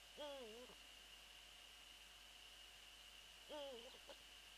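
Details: Eurasian eagle-owl near its nest at night on 22 February 2013, around 0:28, called close to the microphone during the female's absence; two clear, wavering, mid-pitched calls about three seconds apart, each dipping and rising, over constant hiss.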